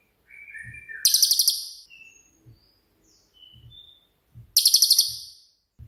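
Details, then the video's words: Cililin song in the 'tembakan' style for training songbirds: soft whistled notes lead into a loud, shrill, pulsed trill lasting under a second, with scattered thin whistles and low knocks before another burst. "BURUNG CILILIN COCOK UNTUK MASTERAN"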